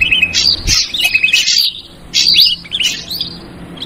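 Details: Ashy drongo lure call in the noisy yellow-vented bulbul style: bright whistled notes and quick chattering phrases with short rising slurs, delivered in two bursts separated by a brief pause.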